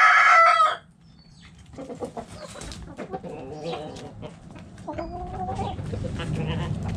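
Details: Chickens in a backyard coop: a loud crow cut off at the start, followed by soft low clucks and murmuring hen calls.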